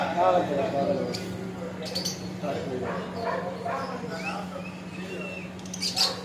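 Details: Talking parrot chattering nonstop in speech-like phrases, short harmonic syllables with a few thin rising whistles, over a steady low electrical hum.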